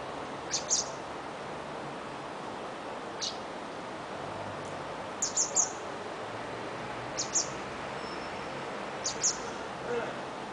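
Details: Hungry fledgling blackbird following its mother, loudly squeaking demands: short high squeaks in pairs, roughly every two seconds, over a steady background hiss.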